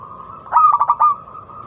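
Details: Single crisp phrase from a local zebra dove's lure song for drawing other doves into song: five quick pulsed coos run together into a ringing note, over faint background hum.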